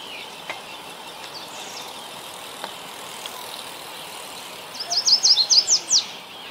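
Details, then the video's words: Yellow warbler in Ontario, Canada, delivering one quick phrase of high, sweet slurred notes, about eight rapid chips that accelerate and end in a sharp upslurred note, after several seconds of steady background hiss. "Lovely Yellow Warbler Bird Singing. Warbler Bird Song."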